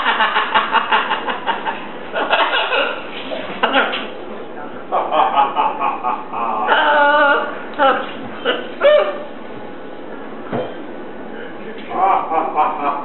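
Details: A Catablue macaw watching TV chatters nonstop in speech-like babble and chuckling laughs, broken by a few louder, harsher squawked phrases, in a small room.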